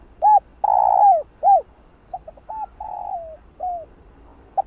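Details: Spotted dove calling and cooing to stir up other doves. One loud phrase of short coo, long falling coo and arched coo, followed by a softer, more distant series of clipped notes and a flat drawn-out note that dips at the end.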